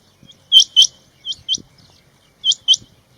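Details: Calling male rain quail gives bright, high-pitched paired notes, a louder pair, then a softer pair, then another pair spaced about a second apart.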